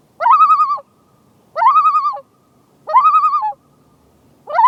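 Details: Common loon on a lake in Maine gives its tremolo, quavering laughing bursts about half a second long repeated roughly every 1.3 seconds over a quiet background, an alarm as a paddler draws near the pair and their chick.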